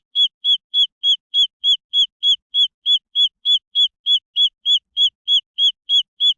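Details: Green junglefowl chicks produce a very regular string of short, high, clear peeps, about three or four each second, with no background noise.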